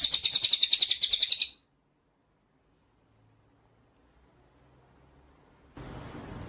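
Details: Cililin bird in gacor song, a rapid burst of high, piercing trilled notes lasting about a second and a half, then near silence before a wash of background noise.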